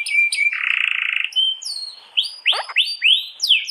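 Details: Canary singing a master song with long rolls for training canaries: a few sharp chirps, a dense buzzy roll, then loud swooping whistled notes rising and falling one after another.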